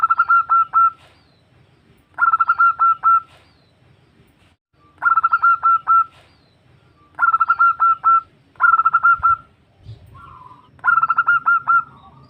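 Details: Zebra dove female calling her mate, a local bird used to lure others: six bursts of rapid, bubbling cooing roughly every two seconds, a low thump near the end.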